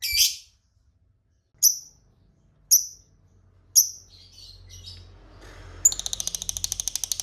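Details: Lovebird ngekek call used as a lure to provoke rival lovebirds into answering: one harsh squawk, then three sharp high chirps about a second apart, softer twitters, and finally a fast, even rattle of high clicking notes.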